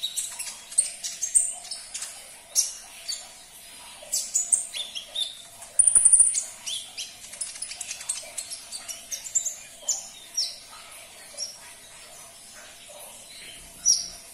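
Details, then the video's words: Sunbird song used to stir a caged bird into singing: very high, thin, sharp chirps and short trills in irregular bursts over about fourteen seconds, with one bright drawn-out whistle near the middle and no other clear sounds. "Putarkan 1 menit saja video ini KONIN anda pasti langsung nyaut"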